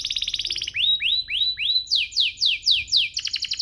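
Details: Canary singing to provoke other canaries: a quick rattling roll, then four slow rising whistled swoops, then several falling slurred notes, ending in a fast rattle.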